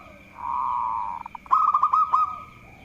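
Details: Local zebra dove in lively song, meant to lure rivals into singing: a drawn-out soft cooing note, a few quick pulses, then a loud burst of fast rolling notes with clicks, above a constant high whine.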